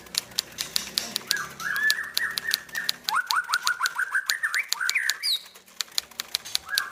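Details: Tame white-rumped shama at a bird farm: short whistled notes, then a quick run of rising slurred notes and a higher flourish. Sharp clicks repeat steadily throughout over low background rumble.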